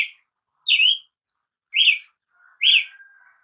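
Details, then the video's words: Brazilian tanager calling with three loud, slurred, somewhat harsh notes about a second apart, the last trailing into a thin, lower, drawn-out tone. "canto de Tiê sangue"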